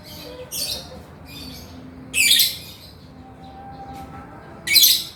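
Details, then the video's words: Male lovebird in prolific 'gacor' form, with 'ngekek' chatter. Harsh, shrill bursts of squeaky chatter at irregular intervals, the loudest near the middle and end, with quiet gaps of faint background hum between. "SUARA BURUNG LOVEBIRD GACOR JANTAN"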